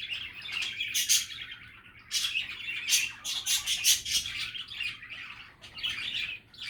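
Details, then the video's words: Cheerful budgie chatter of rapid twitters, clicks and scratchy warbles in dense bursts, easing briefly in places before resuming, with a faint hum. "Happy and relaxing budgie chatter"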